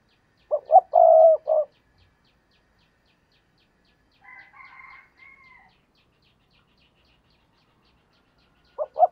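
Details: A decoy spotted dove used for luring wild doves gives one full coo phrase: two clipped notes, a long mellow croon, then a short tail note. A faint, higher, distant call follows mid-way, and another phrase begins at the end.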